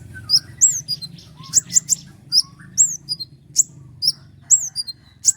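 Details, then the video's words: Actively singing kolibri ninja producing luxurious, sharp, high-pitched shots: crisp down-slurred whistles repeated about twice a second in a steady, rapid sequence, meant as tutor song for other songbirds. "roll tembakan panjang dengan tonjolan tajam mewah dari konin gacor untuk masteran burung kicau lain"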